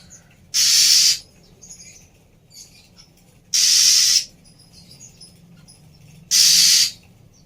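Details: Female Oriental magpie-robin, whose calls are used to prompt a silent bird into singing again, repeats three loud rasping hisses, each about half a second long and spaced roughly three seconds apart. Faint chirps sound between them over a low hum.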